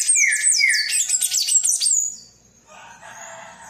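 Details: Palm tanager singing a lot: a fast jumble of high squeaky chirps and slurred notes for two seconds, with lower drawn-out whistles mixed in, then only faint background hiss.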